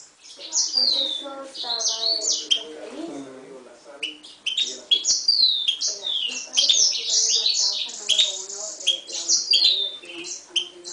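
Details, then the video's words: Mule of Himalayan goldfinch and canary timbrado, 2011, in an extended song of sharp downslurred whistles and chattering twitters in lively bursts, backed by faint low voice-like sounds. "Mule 2011 Himalayan Goldfinch vs canary timbrada"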